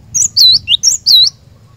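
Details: Close, loud cinereous tit phrase from a lure recording for caged birds: alternating high swooping whistles, a short dip and a longer bowed note, repeated twice within a second and a half.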